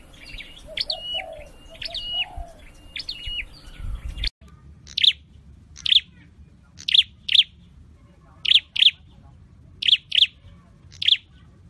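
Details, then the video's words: Scarlet-headed flowerpecker (Dicaeum trochileum) singing in a cage as a training call: three short looping twittered phrases, then sharp high chips, often paired, about once a second; a faint lower warble sounds early on. "Deep red-headed birds(Dicaeum Trochileum): Birds thoroughbred training for singing chirped"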